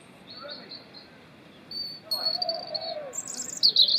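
A European robin's winter song: thin, high, wavering phrases that start faint and grow louder and richer toward the end, over a soft lower background murmur.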